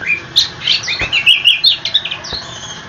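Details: Somewhat softer snatch of oriental magpie-robin rolling song meant to draw answers from other magpie-robins: a few blurred whistled phrases and quick chirps in a short run.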